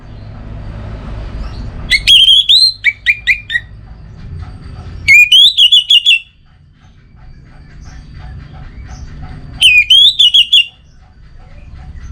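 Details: Orange-headed thrush giving three separated bursts of song, each a ringing upslurred whistle followed by a rapid string of short, sharp whistled notes, spaced several seconds apart over a constant low rumble.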